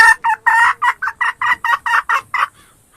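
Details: Wild red junglefowl hen cackling in a rapid series of about a dozen short, harsh, evenly spaced clucks over roughly two and a half seconds, fading at the end.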